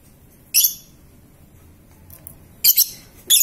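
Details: Juvenile lovebird of about three and a half months during mental training gives a single piercing high chirp, then a pause, then a quick doubled shriek and another sharp note near the end.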